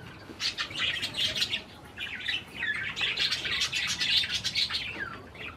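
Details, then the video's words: Several pet parakeets chirping while eating cherry tomatoes: busy, overlapping warbled chirps and short twitters in quick succession, fairly continuous with brief pauses. "Parakeets likes Cherry tomatoes - Parkieten houden van cherry tomaat"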